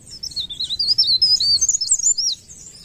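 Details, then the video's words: Short burst of leaf warbler song: one dense, high-pitched twittering phrase of quick wavering notes lasting about two seconds, then fading out. "ocehan burung blerengan atau cikrak daun gacor ngerol"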